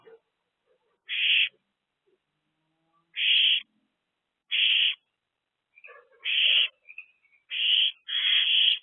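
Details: Owls in a nest box at the start of a busy night, April 2024, just before eight in the evening. Spaced harsh screech bursts come every second or two. Soft higher squeaks and chatter mix in toward the end.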